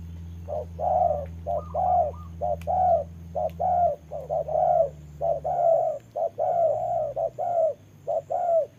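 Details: Decoy spotted dove in a trap, confronting a wild dove in rainy weather; a long run of rapid coos, short and longer notes packed closely, a few thin higher notes early on, over a low humming background.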